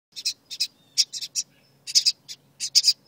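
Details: Baby birds inside their birdhouse, upset at being filmed, give short harsh high chirps in pairs and small clusters, with brief quiet gaps between bursts.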